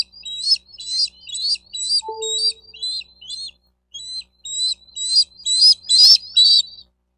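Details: Bald eagle at a nest in Miami-Dade County, Florida, on 4 June 2023 around 12:35, picked up by a nest camera: quick series of high, thin chirping notes, roughly two per second, with a brief low steady tone partway through.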